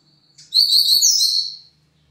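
Double-collared seedeater giving one quick, high twittered phrase of about a second, bright and warbling, with a faint low hum underneath.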